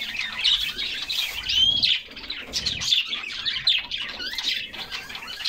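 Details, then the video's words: A summer bath for a flock of canaries, full of fast chirps, rising and falling whistled slurs and trilled runs, with occasional soft splashes underneath. "Summer Serenade: Canaries Singing and Splashing in a Refreshing Bath"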